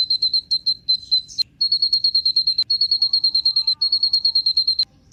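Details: High, thin repeated notes from a Kolibri Ninja sunbird, played as a singing lure for other birds, run together in long even trills with brief gaps and a few sharp ticks.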